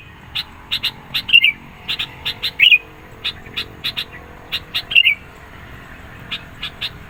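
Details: Chatty sooty-headed bulbul song aimed at provoking rivals and luring birds. Clusters of crisp high clicks, with three short twittering phrases scattered through the seven seconds.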